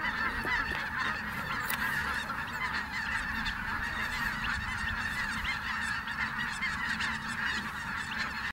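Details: Many snow geese calling as they take flight at a Merced refuge, a continuous massed honking chorus, slightly softer and more distant-sounding.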